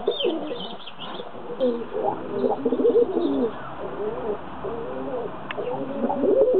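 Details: Doves kept as a pair that have fallen in love: overlapping low wavering coos come in bursts, with a few thin higher chirps near the start.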